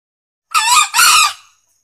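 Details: A male green junglefowl gives a single two-part crow, used to call in wild junglefowl. The first harsh, broad note is followed by a drawn-out scratchy second note fading thinly away.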